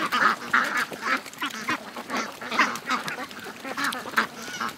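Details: Morning rush of over 700 ducks and geese heading to the lake. Separate loud, rasping quacks stand out, some in quick pairs, over a steady murmur from the rest of the flock.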